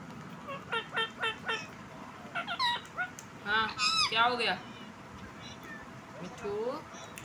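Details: Pet desi ringneck (rose-ringed parakeet) talking and dancing: bursts of harsh, harmonic squawks, first a quick series of four even notes, then a tight run of rising and falling speech-like syllables, with background music.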